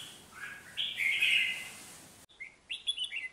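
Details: Red-whiskered bulbul decoy bird, nearly finished moulting, from Việt Yên, Bắc Giang, Vietnam, giving ché chéc calls: a bright warbled phrase followed by a short break, then several quick, sharp chirped notes.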